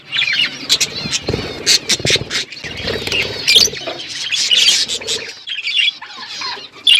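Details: Budgerigars in a flock in an outdoor aviary chirp and warble in overlapping bursts, sharp squeaks scattered throughout over faint low rumbling.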